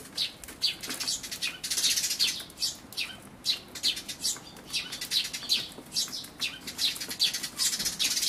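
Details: At a feeder on 28 May 2013, a Eurasian tree sparrow parent feeds its chicks; a near-continuous stream of high, thin chirps overlaps unevenly, louder in places, captured with an Everio camcorder.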